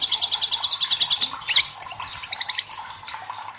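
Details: Loud White-rumped shama song meant to challenge other shamas into full song: rapid high trilled notes, then a burst of varied bright whistled phrases and quick chattering trills.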